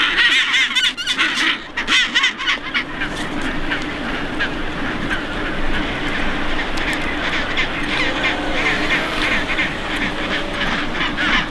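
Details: Chinstrap penguins (Pygoscelis antarcticus) in a colony on Half Moon Island, South Shetland Islands, near Antarctica: harsh, braying, honking calls overlapping in a dense chorus over a low rumble of wind.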